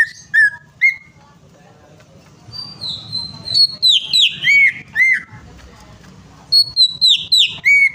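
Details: Greater green leafbird song used to draw out a stalled singer: two separate whistled notes, then long phrases of descending sharp chips that tumble into lower slurred whistles. The cascade repeats near the end over a faint hum.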